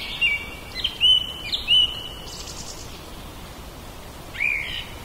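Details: Back-yard common blackbird (Turdus merula), recorded with a Zoom H2n portable recorder, gives a few level whistled notes close together, then a pause and one more whistle, over a constant environmental hiss.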